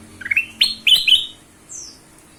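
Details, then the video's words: Ruby-throated bulbul song used as a lure to get other birds singing. A quick run of bright, rising whistled notes ends with a thin, high, falling whistle, set against faint background hiss. "kutilang emas suara pancingan"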